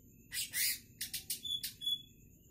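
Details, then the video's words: Wild-caught greater green leafbird, described as very 'gacor', giving a short burst of bright, high chirps: two sharp squeaky notes, then a quick run of four clipped, buzzy twitters and a final chirp, over quiet background hiss. "Cucak ijo super masih liar hasil tangkapan paling gacor."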